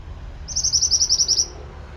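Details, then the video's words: Pied bushchat singing hard on a tutoring track: a steady trill of about ten high, sharp notes spread over one second, crisp and evenly spaced, with soft low hum behind. "Masteran burung Mantenan gacor"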